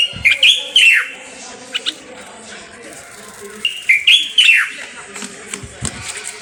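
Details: A Moroccan common bulbul gives two bright whistled phrases a few seconds apart, each rising then dropping in a rich, bubbly slur, with softer chips between.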